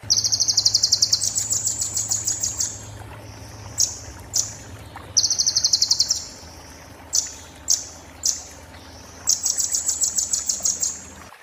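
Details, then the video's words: Oriental white-eye song of the 'muntah beling' type, a tutor recording for magpie-robin and shama: long sizzling high trills, some rising in pitch, broken by separate thin upslurred whistles, over a steady low hum. "master konin muntah beling"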